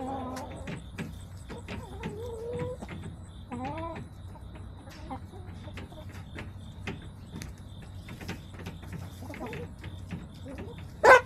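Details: Backyard hens filmed on September 21, 2024, giving a run of harmonic, wavering clucks and drawn-out calls in the first four seconds, then scattered short clicky clucks over a steady low hum, ending in a sudden loud knock.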